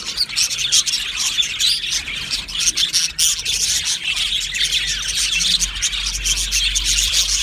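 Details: Happy budgerigars in an aviary colony: a dense, continuous chorus of many overlapping high chirps and chattering twitters with no pauses, with a low hum underneath.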